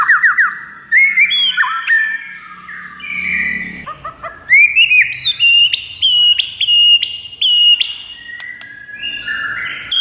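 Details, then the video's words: White-rumped shama song meant to make another shama answer within seconds: rich, varied whistled phrases, some slurred and rising, then a run of clear repeated high notes with sharp clicks, and a few lower warbles. "JADIKAN MURAI BATU NYAUT DALAM HITUNGAN DETIK SAJA"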